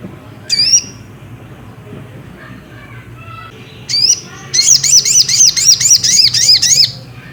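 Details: Ruby-cheeked sunbird singing to provoke another bird into song: a few isolated sharp descending-swept notes, then a fast, high, steady series of repeated chirping notes lasting over two seconds, little background noise.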